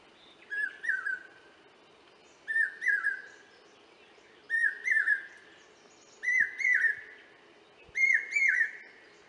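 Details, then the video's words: Common hawk-cuckoo (brainfever bird) in forest near Indore, Madhya Pradesh, in summer before the monsoon, giving shrill whistled three-note phrases about every two seconds, climbing slightly in pitch, over a low steady background hum. "Common Hawk Cuckoo or Brainfever Bird Calling"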